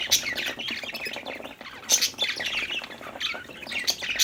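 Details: Playful, happy budgerigars produce busy high chirping and warbles, with brief loud sharp notes about every second or two over constant chatter.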